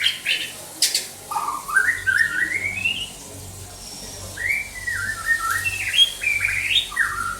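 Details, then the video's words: White-rumped shama in Banda Aceh delivering loud, rich whistled song in two bursts separated by a brief pause, each made of rising and falling slurred notes, with a few sharp clicks near the start and a low background hum. "Murai batu"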